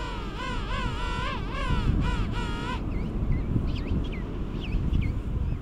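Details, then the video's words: King penguins during courtship and mating on South Georgia in January 2019: loud trumpeting calls with rich wavering harmonics in pulsed phrases, followed by thin high chirps, over wind and low rumble. "King Penguins Mating"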